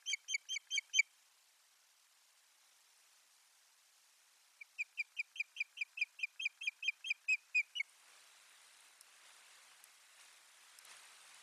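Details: Osprey at a Finnish nest, 1 May 2020, as a bird brings soft nesting material: high, whistled chirps in quick succession, a short burst of six, then about fourteen, followed by soft wind rustle.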